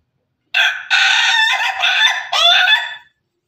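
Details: Crowing from Pelung and Ketawa (laughing) chickens: a loud, rough crow in four choppy bursts lasting about two and a half seconds, the last burst rising and wavering, with silence around it.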